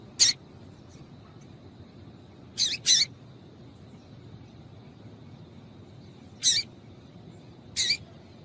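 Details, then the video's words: Calls of a female yellow-bellied seedeater, used to stir males to sing: brief raspy high notes, one close pair, then two singles after a long gap, with a faint continuous whine behind. "Piado de Fêmea de Papa capim para Esquentar Papacapim"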